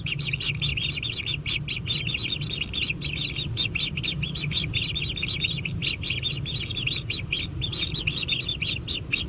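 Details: Begging kingfisher chicks being fed at their natural nest, a busy wash of rapid, high, scratchy chirps running without pause, set against low-frequency background rumble.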